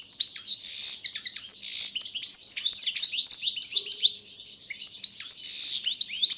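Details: Goldfinch of the Balkan subspecies, competing in an online world championship for its song, delivers a nonstop stream of bright chirps and wheezy buzzes, eases briefly, then resumes with loud twittering.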